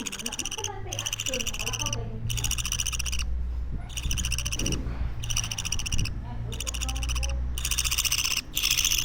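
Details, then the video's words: Baby pet parakeet, two weeks old, rasping in long hoarse bursts repeated with brief gaps, accompanied by a steady low hum and faint background voices. "Sounds baby parakeets make"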